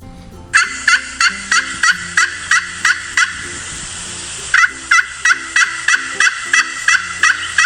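A turkey gobbles in quick, rattling bursts, a sound used to call for a mate.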